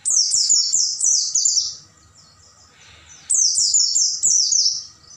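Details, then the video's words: Caged-bird training recording of Oriental white-eye night song: two energetic runs of rapid, high, descending chirps, the first about two seconds long, then a quiet pause before the second begins. "MASTERAN PLECI MALAM HARI,AGAR PAGI GACOR BUKA PARUH dan bongkar isian"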